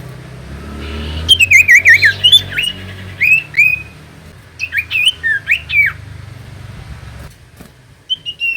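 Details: Common iora song used to provoke reluctant birds into singing: lively warbled whistles that swing up and down in quick runs, coming in bursts of rapidly repeated notes over a low background hum.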